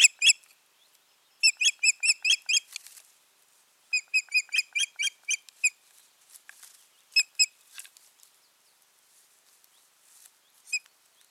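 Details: Osprey pair at the nest, June 2019, the season's nesting having failed: two quick bursts of high whistled chirps, then scattered single notes trailing off over several quiet seconds.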